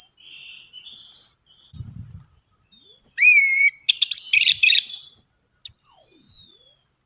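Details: Orange-headed thrush song as a lure to encourage singing: soft warbling opening, then a loud upswept whistle followed by a dense, buzzy jumble of notes, ending with a long thin falling whistle.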